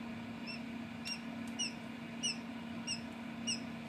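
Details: Quail chicks hatching from eggs incubated at home give thin, high, downward-sliding peeps, single notes spaced about half a second apart, over a steady low mechanical hum.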